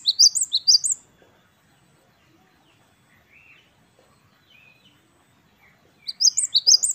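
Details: Great tit (gelatik batu, wingko type), Parus major, singing in the 'wucit-wucit kristal' style: a fast burst of high, bright two-note phrases at the start and again at the end, separated by near silence with faint soft tones.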